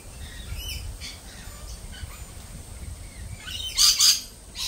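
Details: Lorikeets, uneasy after a Peregrine Falcon attack earlier this week, give faint scattered chirps before two loud, rasping screeches in quick succession and another starting at the end.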